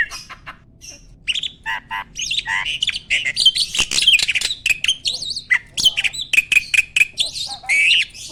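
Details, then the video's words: Sexually mature male Asian pied starling singing energetically with a pumping display that shows readiness to breed; a medley of squawks, whistles and rapid repeated chips, building in intensity toward the middle. "BURUNG JALAK GACOR MOMPA-MOMPA!!! JANTAN TULEN."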